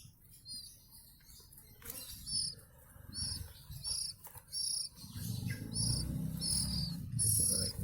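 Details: Oriental magpie-robin, a local bird from West Java, Indonesia: bright, high, short notes in quick bursts, several per second, some slurred and some sharp, over a steady low rumbling background.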